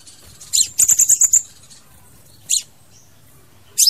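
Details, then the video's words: A crimson sunbird (Aethopyga siparaja) sings very high, thin notes: one sharp note, then a quick run of about six tinkling notes, then two more sharp notes after a pause; the recording is used to lure birds. "TIẾNG CHIM HÚT MẬT XÁC PHÁO HÓT"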